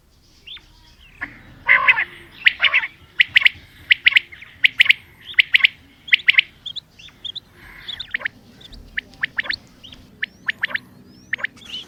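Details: Common quail calling: loud clipped notes in short rhythmic bursts, repeated steadily for about seven seconds, then softer and more scattered notes toward the end, with low background noise throughout.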